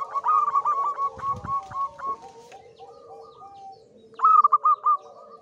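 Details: Local wild-type zebra dove male in high breeding condition, sung as a lure: bright repeated cooing notes in quick runs, a pause with softer lower notes and a brief rustle, then a second loud burst of rapid coos.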